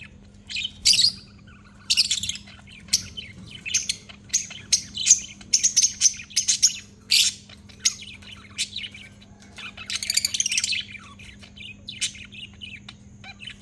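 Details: Three lovebirds, a blue, a Fischer's and a black-masked, kept together in one cage, giving shrill, high chirps in irregular bursts and short squawky clusters, with quieter gaps between; a faint steady low hum runs underneath.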